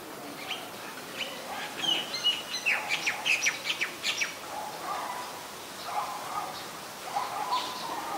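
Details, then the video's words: White-vented myna in Ubon Ratchathani, Thailand, recorded 4 January 2021; a burst of sharp chirps and short whistled notes in the middle, followed by lower, harsher calls repeated at irregular intervals, over faint outdoor background noise. "นกเอี้ยงหงอน หรือนกเอี้ยงดำ (White-vented Myna)"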